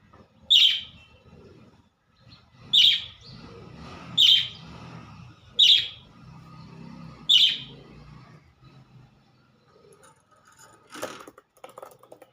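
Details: Budgerigar (Melopsittacus undulatus), call.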